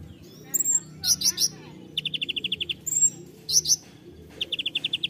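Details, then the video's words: Konin in 'tembakan' song: alternating bursts of high whistled slurs, harsh buzzy triplets, and even runs of about eight crisp repeated notes, the sequence repeating twice, with soft low background noise. "KONIN TEMBAKAN"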